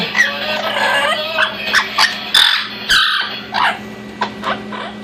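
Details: Orange-winged amazon parrot, a pet, playing inside and out of its nesting box and talking; a run of loud squawky, voice-like phrases in uneven bursts over a low steady hum.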